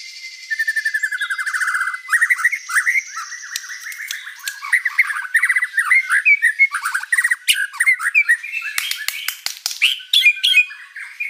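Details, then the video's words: A white-rumped shama sings a long, varied song nonstop: a fast opening trill, then rich whistled and chattering phrases with sharp clicking notes near the end. "MURAI BATU GACOR ISIAN BANYAK"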